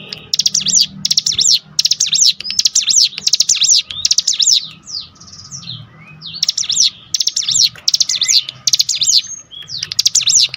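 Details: Lure song of a cinereous tit, used to provoke rival birds into singing: repeated bursts of rapid, piercing high notes about a second long, a pause filled with short soft whistles midway, then more bursts; faint constant hum.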